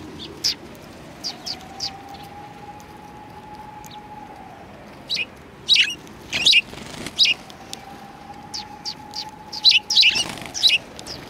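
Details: Sparrows arriving for food at a Tenmangu shrine, 7 February 2020. Sparse high chirps early, then quicker clusters of sharp tweets with a wing flutter in the second half, over a constant low humming tone.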